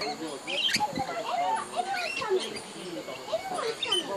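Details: A busy flock of lorikeets at Tamborine Mountain, Australia, chatters in a steady run of overlapping shrill, squeaky calls with many rising and falling notes and no pauses.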